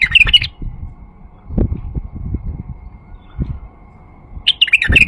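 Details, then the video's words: Male White-eared Bulbul song, played as a lure to make silent bulbuls sing: lively bubbling warbled phrases at the start and the end, with low knocks and rumbling noise between them. "تغريد بلبل فحل لفتح البلابل القافله"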